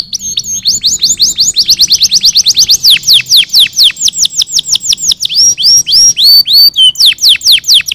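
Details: Canary song meant to stimulate other birds: a continuous fast stream of sharp descending sweeps, varying in speed, broken by a few rising slurred whistles near the end.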